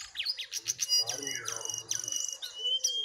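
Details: Jongkangan song from a contest pitting a wild bird against a caged one: a dense run of sharp, varied chirps and high whistled notes with quick downward sweeps, and a faint low hum underneath.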